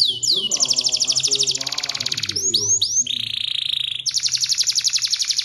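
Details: Canary singing energetically in the Indonesian 'gacor' manner with a 'cengkok mewah' (fancy) song style: fast, bright high trills, a cluster of swooping slurred whistles, a steady buzzy rattle, then another rapid rolling trill.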